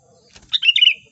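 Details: Sooty-headed bulbul lure recording for trapping: a soft flutter-like rustle, then a brisk liquid phrase of quick chirpy notes running into a ringing, slightly wavering whistle.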